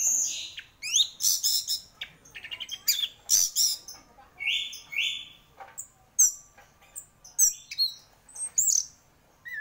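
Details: Orange-headed thrush singing a prolific contest song, mixing stuttering rapid notes, a pair of long level whistles and many short high chirps and slurred squeaks in quick succession.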